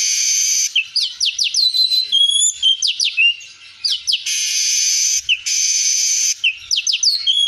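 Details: Streaked weaver (manyar kembang) in 'full isian' style, a song full of fill-in phrases: long harsh buzzy bursts alternate with high whistled slurs, quick chirp runs and a few thin drawn-out whistles, all high-pitched and continuous.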